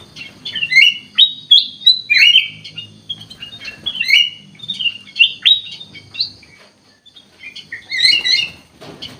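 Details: Ruby-throated bulbul (kutilang emas) singing gacor: a lively stream of whistled, slurred notes, several per second, pausing briefly before a final loud burst of chirps.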